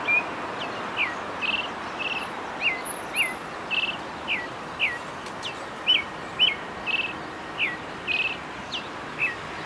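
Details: A Brazilian thrush gives its mating song: short, clear, slightly falling chirped notes, roughly two per second, over a steady hiss of background noise.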